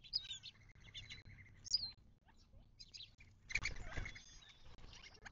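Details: Desert birds at a watering hole in the western Mojave Desert of southern California, near Joshua Tree National Park, 19 March 2024: sharp high chirps and short whistled notes, a burst of clustered calls after three seconds, low background rumble.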